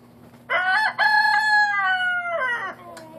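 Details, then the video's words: Little cockerel learning to crow, a raspy immature cock-a-doodle-doo: a stuttered start, then a long strained held note fading into a rough final tail, over a constant low hum. "Learning to crow."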